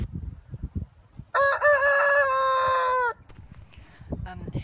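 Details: A rooster gives one loud crow of nearly two seconds, harsh and rich, holding steady then dropping; roosters crow mostly in the morning but also through the day to mark territory and flock and to impress hens.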